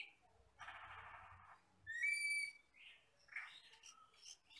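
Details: Black, red-eyed forest common hill myna producing a grating buzzy stretch, then a clear pure whistle and scattered rising chirps.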